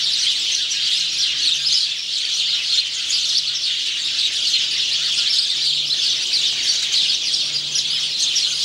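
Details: House sparrow male singing, 17 November 2009; busy, unbroken high chirping and twittering, with a faint low electrical hum underneath.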